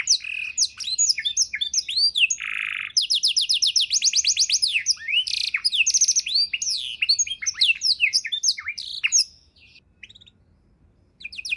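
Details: Tutor recording of a canary's ornate 'isian' song for training other songbirds: a dense run of varied high chirps and sweeps, a rapid stuttering trill, more tumbling phrases, then near silence before a final note.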